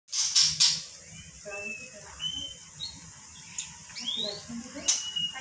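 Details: Magpie-robin singing and said to call out "Pak Jokowi", unedited: a few high, bright whistled slurs and scattered chirps between loud clicking bursts, over a low background murmur.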